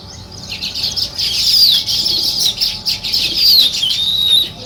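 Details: Village sparrows in the morning give sharp, rapid chirps in uneven bursts that rise and fall in loudness, over a constant high chatter from other birds.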